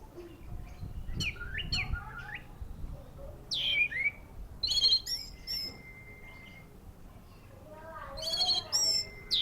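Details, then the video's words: Orange-headed thrush song at the Matroji ring: sweeping slurred notes, squeaky chirps and a held level whistle, delivered in separate bursts with short silences between. "Anis merah ring matroji mlg, teler mental"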